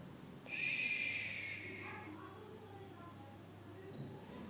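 White-browed wagtail chicks give a harsh, hissing burst of high-pitched calls lasting about a second and a half, then a few softer, lower notes over a low hum.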